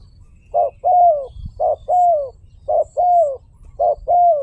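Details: Caged spotted dove cooing: a short pulsed note followed by a longer, smooth, falling coo, the pair repeated four times about once a second, over a low rumble in the background.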